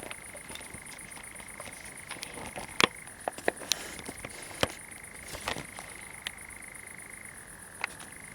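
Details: A European nightjar suddenly starts singing while fireflies are filmed at Pinoa, Zamudio, Bizkaia, on 7 July 2020: a long, unbroken, mid-pitched churring drone that drops slightly near the end, over a high insect hum and scattered clicks.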